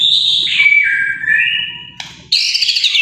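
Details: White-rumped shama singing loud, clear whistles that slide downward, then a brief break before a burst of high, rapid, warbling notes. A faint low rumble runs beneath.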